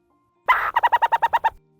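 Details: Burrowing owl (Athene cunicularia) gives a short harsh rasp, then a quick chatter of seven clipped, mid-pitched notes at about ten per second.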